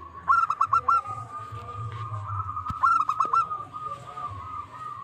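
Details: Challenge call of a local zebra dove, used to goad rivals into answering: two short runs of four or five punchy, fluty coos, followed by a steady droning tone and low rumbling background.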